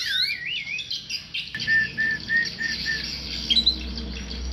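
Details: Singing tame white-rumped shama: an opening wavering, trilled whistle, then a series of six short, level whistled notes at an even pace, ending in high sharp notes, against a steady hissing background.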